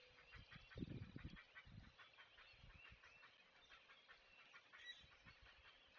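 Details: Great blue heron parent at a nest, filmed by a live nest camera at Chesapeake on 20 May 2023, alerting to stay away: coarse, low squawking bursts near the start, over a steady run of rapid, dry ticking calls.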